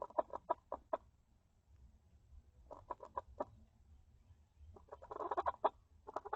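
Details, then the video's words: Hen inside a coop, having come in on another hen trying to lay an egg and seeming to scold her; short low clucks in quick bursts of four or five, separated by pauses, with a brief harsher squawk near the end. "Funny Chickens sounds"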